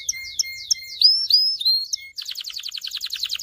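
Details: Canary song for training males to sing and exciting females to mate: a series of descending whistled notes with a low steady tone beneath, two longer upward-sweeping whistles, then a quick pulsing trill.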